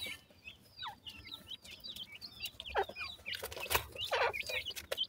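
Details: Young black francolins, dakhni and sindhi teetar chicks, feed and play while a crowd of thin, high, quickly slurred peeps overlaps, broken by loud clicks and rustling taps.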